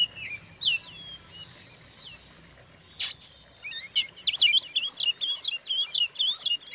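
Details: Oriental magpie-robin used to stir up other magpie-robins; a few scattered thin whistles and a sharp click at first, then a burst of rapid, varied high-pitched song in the last half.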